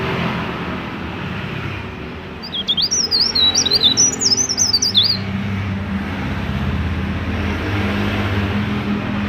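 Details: Mountain leaf warbler, used to lure other mountain leaf warblers into singing: a burst of high, thin, rapid zigzag notes lasting about three seconds mid-clip over steady low background rumble.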